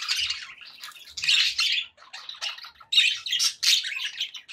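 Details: Cheerful pet budgerigar chatter of rapid, harsh chirps and warbled notes in short bursts, with quick squeaky phrases overlapping.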